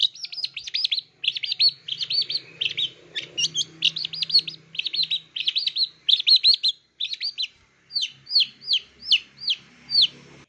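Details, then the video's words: Long-tailed shrike in a lure recording packed with mimicked song: a continuous stream of rapid high chirps and trills, broken by brief pauses, ending in a slower series of separate sharp rising notes. "PANCING SUARA CENDET FULL ISIAN"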